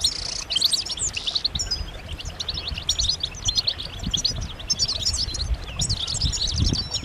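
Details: European goldfinches twitter as a group to encourage males to sing: dense, high chattering chirps and short trills, pausing briefly near the start, with soft low rumbles beneath.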